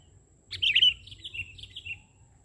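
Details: Sooty-headed bulbul (kutilang), singing actively on the ground during bird trapping: one bright, bubbly warbled phrase lasting about a second and a half, loudest at its start, then fading into softer chirps, over a faint steady high hum.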